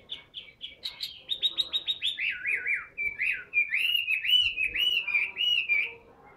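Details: Tame caged Chinese hwamei delivering a continuous run of loud, slurred whistles that sweep up and down, with quick repeated notes at the start and rolling, warbled phrases throughout.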